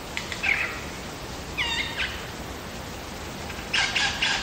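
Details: Wild lyrebird singing in Megalong Valley, Blue Mountains, Australia: three separate bursts of bright, ringing harmonic notes, the middle one a quick stack of descending tones, spaced by short pauses over a quiet hiss.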